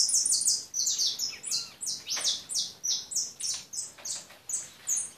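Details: European goldfinch singing a fast series of high, metallic chirps that start crowded and settle into evenly spaced notes roughly every third of a second.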